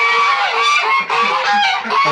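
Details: Domestic geese in their enclosure on a farm in the morning, at let-out time, honking loudly in a dense, overlapping chorus of nasal, harsh calls with no pause; a man's voice briefly in the background.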